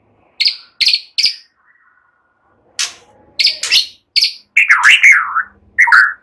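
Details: White-rumped shama singing a relaxed song with rapid bursts imitating cililin and ciblek, used to prompt other songbirds: short buzzy chirps in quick triplets, then a pause, then harsher bursts and a fluid warbled, wavering whistle near the end.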